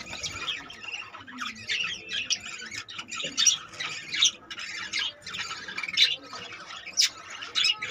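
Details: Captive budgerigar colony holding 25 newly born babies; a constant mix of rasping squawks and quick tweets from many birds, with louder sharp calls standing out every second or so.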